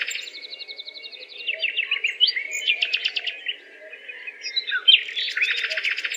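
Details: Birds chirping in a busy mix: fast high trills and buzzy twitters overlapping, bursts of rapid repeated notes rising and falling, over a soft steady low hum.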